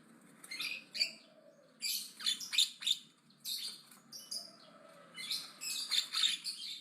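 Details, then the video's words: Javan myna in loud, aggressive chatter: clusters of rapid harsh, scratchy notes and squeaks in bursts, with brief quieter gaps between them. "BURUNG JALAK KEBO AGRESIF NGOCEH KENCENG"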